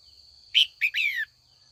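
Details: Single call phrase of a female red-whiskered bulbul, given in the afternoon to provoke older wild males into song: a bright chirp followed by two quick downward-slurring whistled notes, over a faint high whine.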